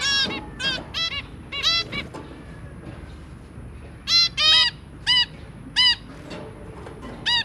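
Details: Zebra finches, a breeding pair and three babies, 23 January 2022: clusters of sharp nasal beeps early on, a quiet gap, then louder spaced single toots about every half to one second.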